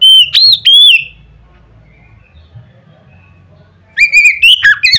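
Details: Oriental magpie-robin pouring out a loud song to prompt rival magpie-robins to sing: three quick ringing whistles, a quiet stretch of about three seconds, then a fast jumble of bright varied notes.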